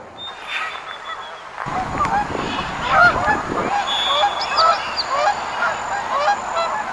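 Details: Wild geese in a flock, a quiet start giving way to a dense chorus of nasal honks and clipped yelps, overlapping and irregular, with a faint high whistle near the beginning.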